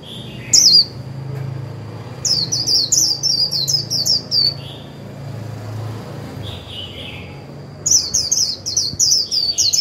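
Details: A 'líu' warble from a Japanese white-eye kept as a decoy to trigger other birds' singing: one brief chirp, then long chattering runs of high, rapid, sweet notes, a softer lower twitter between them, and a steady faint whine throughout.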